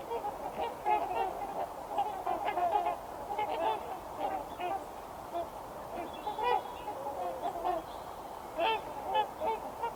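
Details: A flock of trumpeter swans in the Fraser River Valley, near Vancouver, in January on a freezing day, keeps up a constant overlapping chorus of deep, nasal, horn-like honks, many birds calling at once.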